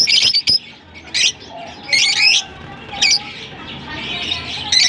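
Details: Kept lovebirds in Larkana produce short, sharp screechy chirps in separate bursts about a second apart, with a faint low hum between calls.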